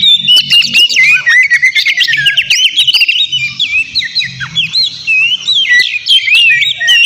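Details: White-rumped shama in vigorous song to draw a rival's reply; rapid, varied whistles, chatters and upslurred notes pouring out nonstop, with faint low hum in the background.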